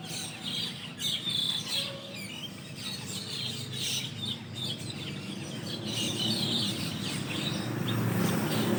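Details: Asian glossy starlings, which roost overnight in large flocks, calling from a shady leafy tree in the morning just after dawn prayer. Busy overlapping chatter and short whistles go on over steady low background noise.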